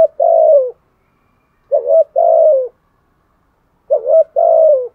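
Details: Spotted dove challenging with fighting coos in the 'thổ' voice. Three low phrases about two seconds apart, each a quick dipping note and then a longer steady hoot that tails downward. Nothing else is audible.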